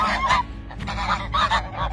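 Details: Domestic geese on a farm giving loud, nasal honks in quick bursts, several overlapping calls over two seconds, with a low rumble of background noise.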